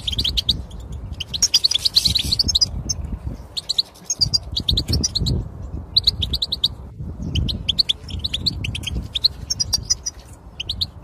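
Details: Goldfinch song played to prompt a silent European goldfinch to sing: phrases of quick chirps and buzzy twitters separated by short pauses, with low rumbling noise in the background.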